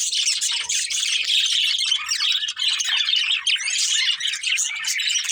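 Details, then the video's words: Paired budgerigars chirping and squawking, a constant high scratchy chatter mixed with short harsher squawk notes, loud and unbroken from start to finish. "Cute Colourful Budgies Chirping Sounds"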